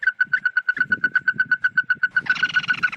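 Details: Red-eyed bird calling to gather the flock for luring: quick rhythmic notes at about four per second, turning harsher and fuller in the final second, with faint low rumbling beneath.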